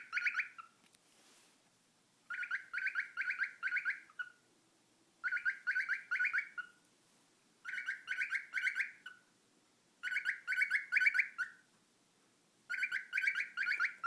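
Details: Pet cockatiel making funny noises: bursts of about five to eight rapid, bright, harmonic chirps that rise and dip, each burst lasting one to two seconds and separated by short silences, repeated six times.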